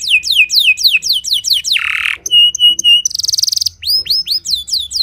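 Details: Timbrado canary in early morning training, singing repeated falling whistles, a harsh buzzy burst, flat piping notes, a rapid rattling trill and finishing with rising-falling slurred notes.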